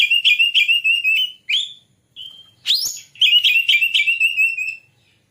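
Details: White-rumped shama singing, used as a lure to get birds singing and opening the tail: rapid rolling whistled notes, a short clear whistle, a sharp rising sweep, then another fast warbled run.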